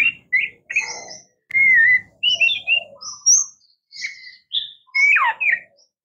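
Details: Oriental magpie-robin, known as murai kampung or kacer, giving clear whistled notes and short phrases with pauses, ending in a sweeping downward slur and a buzzy note.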